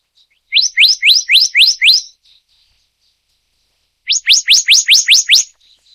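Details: Black-naped monarch of the Taiwan endemic subspecies Hypothymis azurea oberholseri gives two quick bursts of about seven sharp, upslurred whistles each, ringing and evenly paced, with a pause between bursts.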